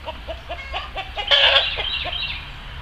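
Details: Chickens in a farm barnyard coop around egg-laying time: a run of soft, evenly spaced clucks with one loud, harsh, broadband squawk in the middle, then quieter clucking fading out.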